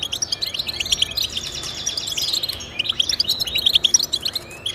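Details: European goldfinch twittering song meant to encourage pet goldfinches: mixed high chirps, liquid trills and a drawn-out buzzy phrase, with sparkling notes near the end.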